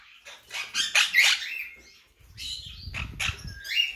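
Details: Monk parakeet of the blue colour mutation calling in rough, scratchy squawks, a dense cluster early on, then further harsh notes over a low rumbling background noise in the second half.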